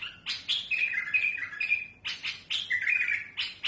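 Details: Trained mutawwa'a bulbul singing to tutor chicks, with a smooth but harsh, striking voice: loud chattering notes lead into sweet rolling whistled phrases, repeated twice in quick succession, with no other sounds.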